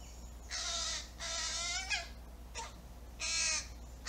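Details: Hungry fledgling crow demanding food: loud, harsh, drawn-out rasping caws, each about half a second, four in quick series with a brief clipped note between, over a steady low hum.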